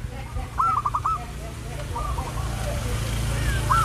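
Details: Zebra dove training recording meant to make zebra doves sing diligently: quick runs of short, staccato cooing notes, a burst of about five then a softer run, over a steady low rumble.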